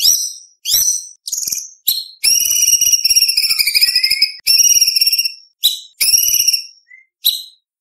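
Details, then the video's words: Murai batu, the white-rumped shama, singing a competition-style song with mimicked phrases: high ringing whistles and long harsh buzzy phrases, with short sharp notes between. "Murai Batu Gacor Full Isian ~ Full Tembakan Materi Lomba"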